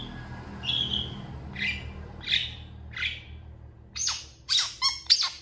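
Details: Long-tailed shrike in emotional song answered by other shrikes. Spaced whistled and slurred notes, then a rapid cluster of sharp harsh chips toward the end.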